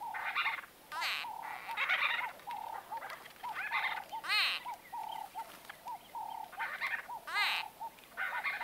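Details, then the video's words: Medium close-range White-fronted bee-eater conversation: repeated short, burry, arched calls arrive in bursts about every second, over a steady hum of softer rolling notes. "White-Fronted Bee-Eater. NB: Exact Date Of Recording Not Known. MCU-CU Conversa"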